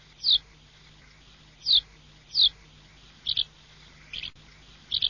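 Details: Russian swallow calling with clear, high, downslurred chirps spaced about a second or more apart, later notes doubled and buzzier, against a steady low hum.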